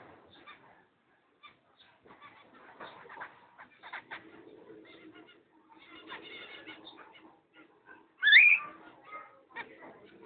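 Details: Two cockatiels kept as a pair, dated 05.06.11, chattering with busy soft chirps and warbles before one gives a loud rising, wavering shriek, after which the quiet chattering resumes.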